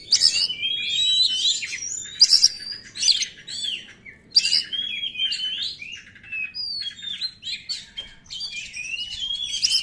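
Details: White-rumped shama singing in a lure recording meant to attract other birds and rouse an unexcited bird: bursts of loud whistles and harsh buzzy notes with rapid rising and falling phrases, separated by short pauses.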